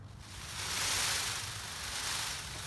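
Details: A captive male Indo-Chinese green peafowl rattles his train, rubbing his tail against the long train feathers: a dry, hissing rustle over a fast, low throbbing.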